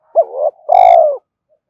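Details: Brief lure coo from a spotted dove: a quick rising-falling hoot with a wavering tail, then a sustained, full, gently descending coo. A faint click sounds in the middle.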